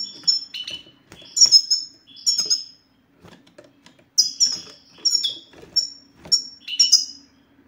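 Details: European goldfinch song of the sititah (bitbitah) style, played to get silent male goldfinches to sing: bright, high chirps and downslurred tinkling notes in short bursts, a pause of about a second midway, then more quick phrases; faint low hum beneath.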